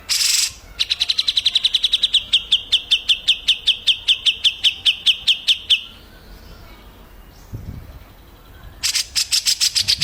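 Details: Ashy tailorbird song, cleaned-up tutor recording for training cage birds: a brief harsh burst, then about twenty-five rapid, even, high chipping notes in a steady run, a short pause, and another fast burst of sharp chips.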